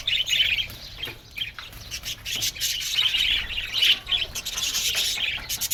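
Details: Aviary flock of budgerigars: irregular bursts of high chirps and harsh squawks, with brief quieter gaps, then louder overlapping chatter toward the end.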